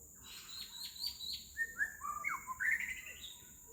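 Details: White-rumped shama singing in Singapore on 10 May: a rich, varied run of clear whistled notes, some sliding, others held, rising into higher warbled phrases, over a steady high insect hiss.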